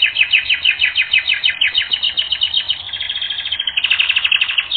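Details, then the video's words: Canary singing on a training recording, fast regular repeated chirped notes about three per second, then shifting into a smoother trill toward the end. "Canary Training Record N°10"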